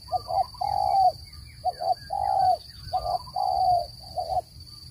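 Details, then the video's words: Spotted dove call used to lure birds into traps, a clean recording without background noise: low hollow coos in repeated phrases of short paired notes followed by a longer drawn-out coo, with faint chirps and a steady high tone behind. "Tiếng chim cu gáy dùng để bẫy chim,giọng chuẩn không tạp âm"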